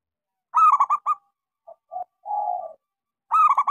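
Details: Local Indonesian-type zebra dove singing softly to prompt quiet doves to sing: a loud rapid rolling coo of four notes, then short soft hoots and a longer purring coo before the roll repeats.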